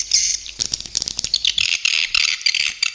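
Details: Edible-nest swiftlets in a lure recording: a brief burst of shrill, overlapping twitters and fast dry clicks.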